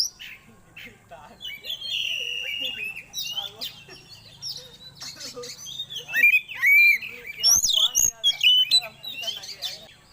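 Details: Oriental magpie-robin song played as a lure to bring birds quickly into breeding condition: quiet start, then a rich run of sweet whistles, sharp upslurs and rapid twittering phrases growing louder toward the end, with faint low background hum.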